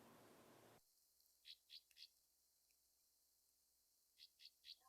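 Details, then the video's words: Belted Kingfisher (Megaceryle alcyon), North America, giving harsh, dry, high rattling notes in two quick bursts of three, a few seconds apart, after a brief rush of hiss. "Belted Kingfisher | 5 Facts + Call/Rattle/Sounds"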